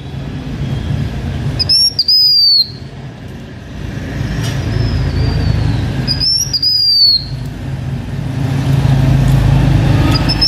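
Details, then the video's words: Blue-winged minla performing decoy song for a H'Mông owner: two bright, high whistled phrases about four and a half seconds apart, each lifting slightly then descending, with softer whistles between and a low hum throughout. "Khướu lùn cánh xanh hót mồi"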